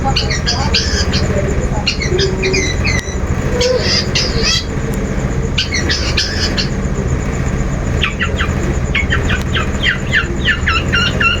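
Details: Long-tailed shrike song used as a lure to get another shrike singing; bursts of harsh, scratchy and chattering high notes in quick clusters, with a strong steady low hum and noise throughout.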